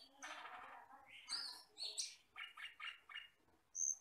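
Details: Tutoring recording of an Asian glossy starling, a very wild forest-dwelling bird: dense run of harsh chattering notes mixed with bright rising whistles, then a string of short rhythmic chirps and a final high clear whistle.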